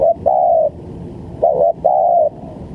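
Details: Spotted dove calls recorded as a lure sound for trapping: two low cooing phrases, the second a short note followed by a long, steady, slightly falling coo, over faint background hiss.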